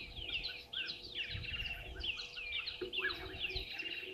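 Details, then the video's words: Busy chorus from red-billed buffalo weavers at a waterhole on Djuma Game Reserve in the Sabi Sand Wildtuin, South Africa, morning live camera. Dense high chirps and squeaky slurred notes tumble over each other without pause. "Red-billed Buffalo Weavers"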